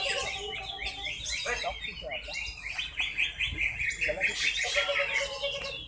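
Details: A contest-winning greater green leafbird, a newcomer, sings on the hanging pole with full isian. Quick sweeping whistles repeat about twice a second over a busy background of other songbirds and a little human chatter.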